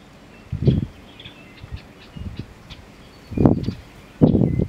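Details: A male American bittern gives its "onk-a-chunk" display call, deep, gulping, low-pitched pumping bursts a few seconds apart, with faint thin bird whistles in the background.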